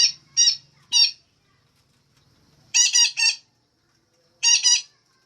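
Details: Female parakeet, kept to stimulate caged songbirds into lively, frequent singing, giving harsh, nasal squawks in quick bursts of two or three, separated by short silences, with a faint low hum in the background.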